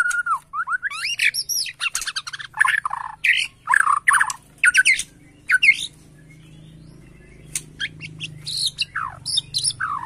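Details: Borneo white-rumped shama reacting to a lure recording, excited, sings loud sweeping and twisting whistled phrases with sharp notes, over a low steady hum in the background.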